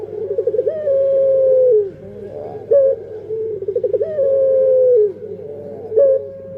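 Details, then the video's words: Puter pelung dove coo: a pulsing trilled lead-in, then a long sustained note ending in a drop, repeated twice, with a steady low hum. "Suara Burung Puter Pelung//Sound Dove Singing"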